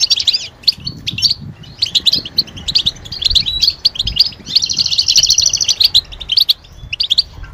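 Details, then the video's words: European goldfinch calls tied to mating readiness, used to stimulate silent males into song: a run of clipped chirps, then a fast buzzy trill near the middle, then scattered twitters again. "علاج سكوت الحسون بتبتة 💯💯 تحفز الحسون على التغريد والهيجان والجهوزية"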